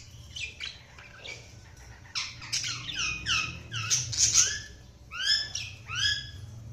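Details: Budgies chirping in a rapid series of bright, downward-sweeping notes, clustered in bursts with short pauses, high and clear, about one note per second overall; steady low hum in the background.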